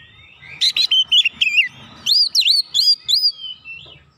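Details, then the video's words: Oriental magpie-robin roused by a rival's lure, unloading its filler material: dense scratchy chirps run into a chain of loud arched whistles, repeated almost three times a second, fading at the end. "SEKALI PANCING KACER LAWAN LANGSUNG NGOTOT NAIK EMOSI BONGKAR MATERI ISIAN"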